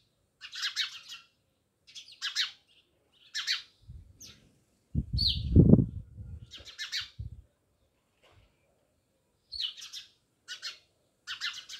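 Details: Many house sparrows near a village house at Jamnagar, chirping in short bright bursts about once a second, with gaps between, and a loud low thudding rumble midway.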